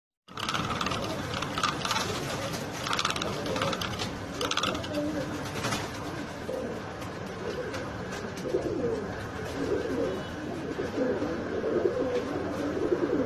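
Fantail pigeons coo in low, soft, rolling notes against a busy background of flock noise.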